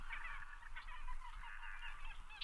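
Common Gallinule giving harsh, nasal, henlike clucks run together in a fast, uneven chatter, over a steady low rumble.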